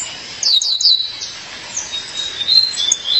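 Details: A female Violaceous Euphonia calls her partner with a quick series of high, falling chirps, followed by softer drawn-out whistled notes at a steady pitch.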